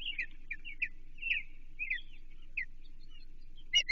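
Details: Osprey at its Chesapeake nest, 28 June 2023, during feeding on a delivered American shad; soft, scattered downslurred whistled chirps spaced about half a second apart over a low steady background hum.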